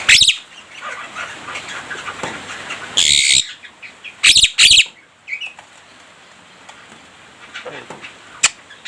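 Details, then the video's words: Javan myna that mimics human speech and coughing. Soft chatter leads to a few loud broad rasping bursts, then a quieter stretch with sparse faint notes. "Oceh Mewah Jalak Kebo Gacor Dor,Full isian suara manusia dan batuk batuk"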